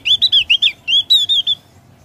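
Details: Javan grey-throated white-eye in ngeplong song style, delivering a short run of loud, clear, sweet whistled notes, slurred and slightly rising and falling, about ten in two seconds, with quiet background.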